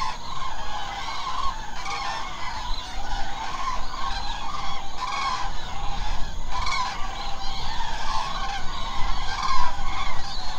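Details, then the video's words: Night roost of many common cranes in the Hula Nature Reserve wetland, Israel: a continuous crowd of loud, bugling, honk-like calls overlapping without pause, with a constant low rumble beneath. "How many canes עגורים do you think are in the Hula Nature Reserve tonight?"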